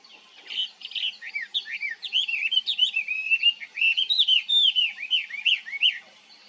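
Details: Chinese hwamei in full song: a varied, continuous run of loud slurred whistles, many notes swooping down then up, tumbling quickly for about five seconds with hardly a pause.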